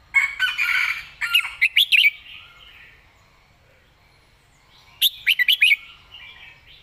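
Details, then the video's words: Caged red-whiskered bulbul delivering the 'mae bot' master song with clear phrasing: a rich warbled opening, then rapid strings of sharp whistled notes, repeated after a pause of about three seconds. "วางสำนวนชัดๆ"เดินเพลงแม่บท ชัดถ้อยชัดคำ"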